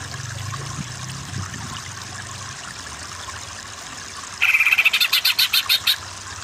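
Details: Greater green leafbird, a training recording to push birds into continuous kejer singing: a long stretch of background hiss and faint low sounds, then a sudden trill and about nine sharp buzzy pulses in quick succession.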